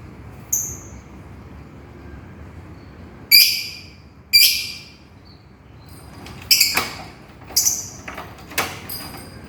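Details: Lovebird calling to its companion, giving sharp, high, screechy chirps at irregular intervals of one to three seconds, some single and some in quick doubled bursts, over a quiet hissing background.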